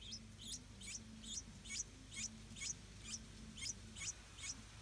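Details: Stripe-throated bulbul hatchlings in a nest guarded by their parents, hungry: high, thin squeaky notes repeated about twice a second in a steady series, with a low hum beneath.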